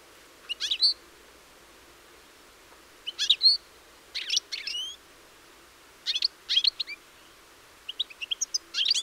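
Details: European goldfinch recorded on 4 April 2018 gives bright, twittering bursts of high, tinkling notes. The bursts come in short clusters separated by brief pauses.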